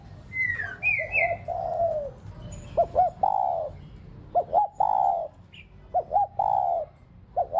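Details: Decoy spotted dove kept to spur pet doves into cooing. It gives phrases of two quick clipped notes and a long falling coo, repeated about every one and a half seconds. Brief high twitters come early from another bird.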